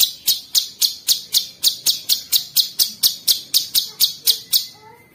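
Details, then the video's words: Cucak cungkok bulbul singing its 'tembakan' style as a steady series of crisp, high, percussive chips about three per second, fading out, with a faint thin whistle near the end. "TEMBAKAN KRISTAL CUCAK CUNGKOK ISTIMEWA"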